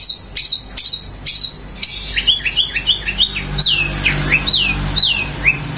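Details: Long-tailed shrike song opening with sharp high chips, then a series of clear downward-slurred whistles and short rising notes, loosely repeated about twice a second against a faint low hum.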